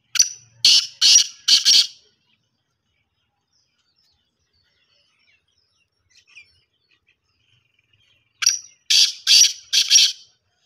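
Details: Two bursts of the black francolin's grating call, each four scratchy, emphatic notes in quick succession, separated by about six seconds of near silence; the kala teetar or Sindhi teetar of local naming.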